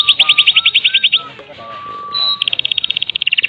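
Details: Medan-type white-rumped shama lure song for starting other shamas singing: a fast rattling trill over a low whistle, a quieter pause with a long steady low whistle, then another rapid rattle.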